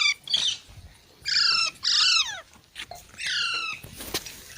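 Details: Baby parrots give several drawn-out, raspy, layered squawks that fall slightly in pitch, with short pauses and faint scratching between calls.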